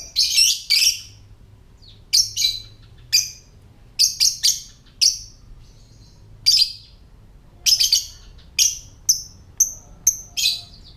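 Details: Rapid, piercing chirps from a lovebird in its ngetik or typing style, used to stir other lovebirds into calling and breeding condition. Clusters of two or three sharp notes alternate with single chirps about every second.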